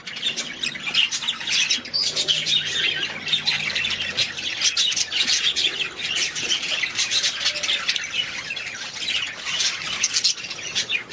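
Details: Steady, unbroken budgerigar chatter: many overlapping shrill chirps and scratchy squawks forming a constant high, buzzy wash.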